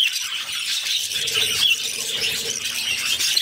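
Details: Budgerigar chicks, six in one brood, begging while their mother feeds them: dense, raspy, high-pitched squealing that runs without a break, with small rises and dips in loudness and no other clear sounds.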